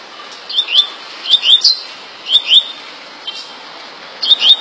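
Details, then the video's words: Double-collared seedeater from Rio de Janeiro singing a fast tui tui song: paired high rising whistled notes in short bursts roughly every second, over steady hissing background noise. "Coleiro tui tui rapido de bico rj"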